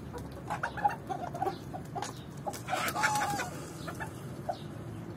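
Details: A Swedish Flower rooster courting a hen gives soft, quick clucks several times a second, with one longer drawn-out note in the middle, over a steady background rumble.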